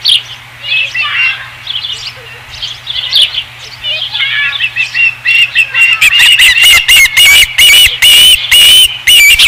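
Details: Osprey on a ranch nest, 5 August 2016; scattered soft whistled chirps building into a steady series of loud, sharp cheeps about twice per second in the last few seconds.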